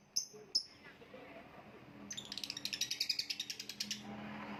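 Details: Two sharp high lovebird chirps, then a quick even string of rapid squeaky notes about three per second lasting two seconds, with a low hum throughout.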